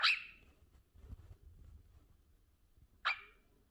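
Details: Indoor cockatiel giving two brief, harsh grating squawks about three seconds apart, the first sharper and longer, with soft low rumbling in between.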